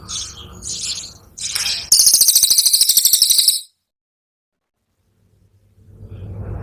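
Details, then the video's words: Brown cililin, a cililin 'tembakan' song used as training material for songbirds: noisy chirping, then a loud, very high, rapid dry trill of evenly spaced pulses lasting about two seconds, then silence and faint low rumble. "TEMBAKAN CILILIN COKLAT!!!"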